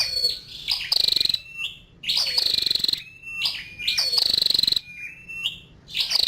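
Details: Female scarlet-backed flowerpecker calling: high rapid ticking bursts near the top of the range, each under a second, alternating with thin level whistled notes, repeated about every one and a half seconds.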